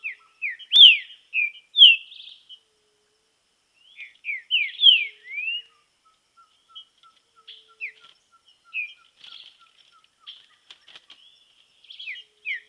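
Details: Green-winged saltator in song training outdoors, giving two loud phrases of rich slurred whistles about three seconds apart. Softer scattered chirps follow, along with a faint steady series of low ticking notes.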